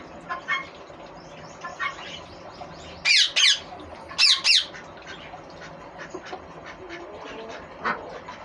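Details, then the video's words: Green ringneck parrot screeching in two paired bursts, each a double harsh shriek, a second apart, with scattered soft chirps before and after. "Green ringneck parrot"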